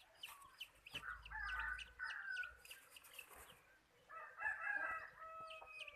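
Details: Decoy chicken for catching birds crows twice, each a drawn-out harmonic call, with many small birds chirping in the background and a low thump near the start.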